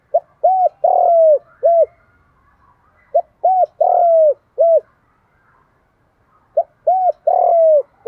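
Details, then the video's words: Spotted dove calling in the 'đồng thổ' coo style, meant to provoke fighting and draw wild doves in; three full phrases roughly every three seconds, each a short note, an arched coo, a long falling coo and a closing coo. "cu gáy giọng đồng thổ thúc đấu + Gáy gọi chuẩn để kích bổi nhanh về"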